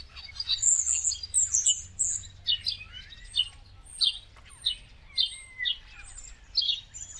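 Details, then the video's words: Winter migrant flock of common starlings in India: shrill high squeals at first, then rhythmic bursts of scratchy chatter and clicks about every half second, with thin sliding whistles woven through. "Common Starling Call Song"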